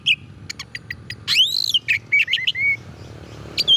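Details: Oriental magpie-robin song intended to provoke rival magpie-robins: short sharp chips, a loud looping whistle and several clear level whistled notes, over a noticeable background hiss.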